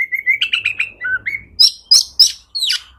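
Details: Oriental magpie-robin song meant to stir other magpie-robins to sing. Quick repeated whistled notes climb slightly, followed by a low slurred whistle, then four piercing high downslurred squeaks.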